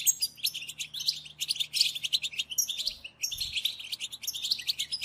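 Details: European goldfinch chatter played to stimulate silent goldfinches into singing: dense, rapid twittering and buzzy chips packed together, with short pauses near one and three seconds, a faint low hum underneath.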